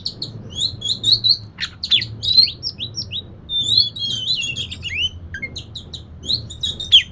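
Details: Oriental magpie-robin lure song, played to coax a reluctant bird into singing: a rich, fast run of clear whistles mixed with buzzy, harmonic-laden chirps and sweeping notes, nearly continuous for seven seconds over a faint low hum.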